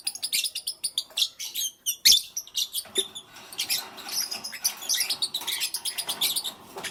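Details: Morning chirping of pet lovebirds: a steady stream of sharp, high-pitched chips and squeaky chatter, almost continuous, with one louder harsh burst near the middle and overlapping calls throughout.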